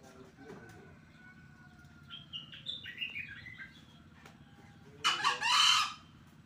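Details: A captive green junglefowl training at the edge of a rice field near a main road, Blitar, gives one loud, hoarse, rasping crow near the end. Short chirping notes from other birds come before it, over a low traffic rumble.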